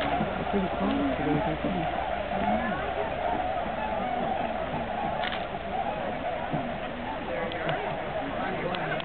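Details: Tundra swans stopping over during spring migration at Aylmer Wildlife Management Area, 15 March 2009; loose, wavering bugled notes from many birds in the first seconds, then fainter calling under background chatter and noise.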